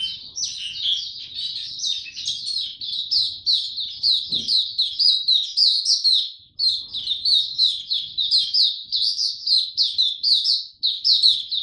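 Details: Developing song of a young caged white-eye, 9 February 2022: a long, almost unbroken stream of thin, high, rapid chirping notes in pulsing bursts, with one brief knock partway through.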